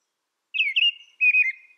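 An American robin sings two short, warbled whistled phrases about half a second each, the second slightly lower, with clear pauses and no other sounds.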